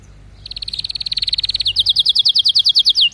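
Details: Canary singing a rapid trill. It begins as a fast, even rattle of high notes, then shifts into a slower series of sharp, descending whistled slurs repeated about three times a second.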